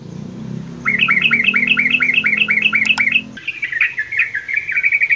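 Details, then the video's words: Sooty-headed bulbul singing in a mini aviary in the morning: a run of about nine quick, rising chirped notes repeated evenly, then looser chattering twitters, with a low hum in the background. "kicauan terukcuk diaviary"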